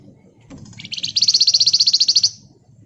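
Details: Flamboyan singing in the gacor ngebren style, used as a lure and tutor for other birds: one dense, very fast trill of sharp, high notes lasting about a second and a half, over a faint low rumble.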